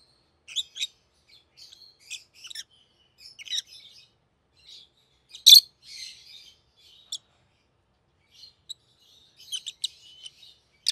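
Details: Pet rosy-faced lovebirds, one yellow and one green, both red-headed, giving sparse high chirps and twitters with one loud piercing squeak midway and a clustered burst of chirps near the end.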